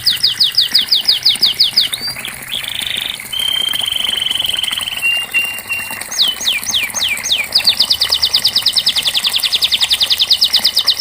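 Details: Canary song aimed at getting a silent canary to sing along: repeated falling sweeps, a short flat buzzy phrase, a lower sustained trill, then quick rising notes running into a long even rattle.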